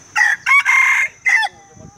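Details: Rooster crowing during a crowing-count contest in Dungun, Malaysia; loud harmonic crow broken into four bursts, a short note, a longer sustained middle section and a final burst, with faint voices after.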